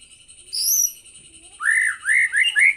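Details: White-rumped shama with a high rising whistle over a steady high tone, then a set of lower, rich upslurred whistles repeated four times.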